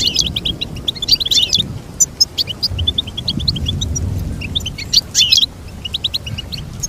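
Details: Goldfinch song for training: quick twittered phrases of high chips and trills in bursts, with a steady low rumble beneath.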